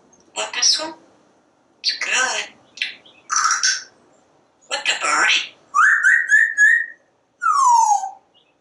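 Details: A talking parrot comments from its screened back porch while watching squirrels and birds. Several quick spoken words, then two clear whistles: one holding steady and slightly rising, the last sliding downward.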